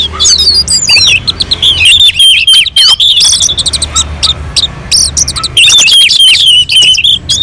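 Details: Orange-headed thrush singing on a mountain slope, song used to provoke other birds into singing; loud, rapid, varied high whistles and chattering notes with sweeping slurred phrases, delivered almost without pause.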